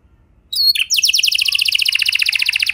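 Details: Singing canary, played to coax other canaries into song: after half a second of quiet, a short whistle and then a dense, fast, even trill of high notes.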